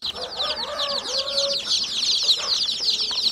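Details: Numerous chicks give shrill, quick peeps in a continuous jumble; a softer, lower wavering tone sounds underneath during the first second and a half.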